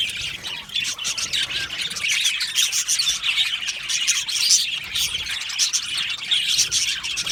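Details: Many Australian budgerigars chirping together in an aviary: constant high, rasping chatter and whistled squeaks, fairly even in loudness throughout.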